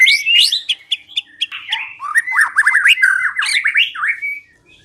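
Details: Song of the white-rumped shama for luring birds into singing: sharp high notes, then a long rapid run of rising and falling chattering phrases fading near the end.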